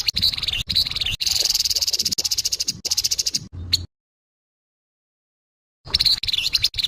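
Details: Grey-headed babbler giving its harsh call: dense, raspy chattering built from rapid buzzy pulses, delivered in bursts nearly two per second and broken by short pauses, with a two-second silent gap before the rasping resumes.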